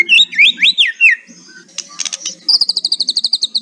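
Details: Shama kretekan song: several looping whistled phrases, a brief scratchy pause, then a rapid, even high-pitched chattering trill of about fifteen notes.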